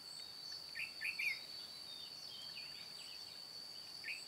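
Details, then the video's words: White-cheeked red-whiskered bulbul singing 'ché cười' while luring wild birds into a trap on 22 June 2018. A brief cluster of bubbly whistled notes comes early, then softer scattered chirps, with a steady high insect whine throughout. "Bẫy chào mào Má trắng ché cười"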